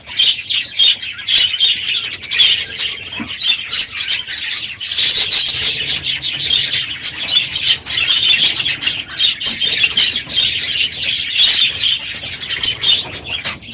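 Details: Budgerigar flock in a full aviary at the close of the breeding season, very noisy in the morning: sustained scratchy warbling chatter with clicks and chirps, swelling louder around the middle.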